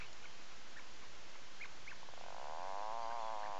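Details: Atlantic puffin at its nesting burrow in a breeding colony on Seal Island National Wildlife Refuge, Maine, early morning of 9 July 2018; a drawn-out, wavering, harmonic moan rises at the end, after faint scattered chirps over steady background hiss.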